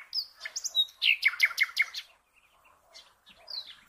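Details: Common nightingale song meant for cage-bird training: a loud series of evenly repeated notes over buzzy overtones, then a pause with soft, scattered chirps.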